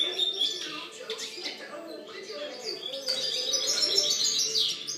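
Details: A 2013 recording of European goldfinch song. Quick tinkling chirps build into a denser, brighter twittering run in the second half, over a low background murmur.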